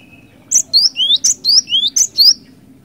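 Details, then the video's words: Cinereous tit song in the vigorous 'ngerol ngeplong' style, used as a lure: clear whistled two-note phrases, a high note then a rising slurred note, repeated four times briskly over a low background hum. "Suara ASLI Glatik Batu Gacor Ngeeerool Ngeplong, 100% Ampuh Buat Pancingan"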